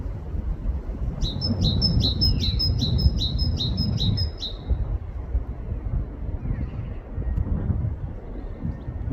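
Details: UK forest great tit giving one three-second burst of repeated bright see-saw note pairs, about eight in a row, then falling silent while deep rumbling background noise continues throughout.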